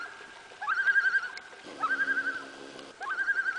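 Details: On Lake Saganagons during an August 2007 moonrise, a loon calls on a still evening: three quavering, rapidly pulsing tremolo bursts, each about a second long and evenly pitched, spaced roughly 1.2 seconds apart over a faint steady hum.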